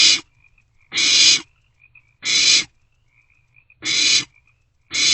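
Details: Barn owlets at night in a nest box, 27 March 2024, passing a vole between them; steady rasping screeches, about half a second each, five in a row with soft twitters between.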